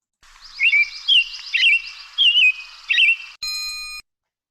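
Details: American Robin (Turdus migratorius) song, Lake Tahoe area: five short, warbled, caroling phrases in quick succession, rising and falling, rendered "cheer up, cheerily", followed by a brief steady electronic-sounding tone.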